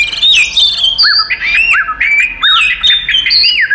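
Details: Oriental magpie-robin fighting song, used to provoke and anger other magpie-robins: loud, varied whistled phrases with rising and falling slurs and harsh squawky notes, repeated in bursts roughly every half second.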